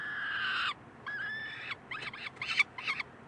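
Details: Peregrine falcon chicks begging for food at Columbus on May 9, 2015, resident male in attendance; one long harsh wail, a thinner wavering cry, then a burst of short choppy chattering notes.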